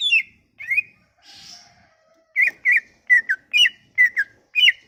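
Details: Cucak ijo (leafbird) song played as a lure for leafbirds that have stopped singing: clear, slurred whistles in pairs, a quiet pause with faint hiss, then a rapid run of bright descending whistled notes.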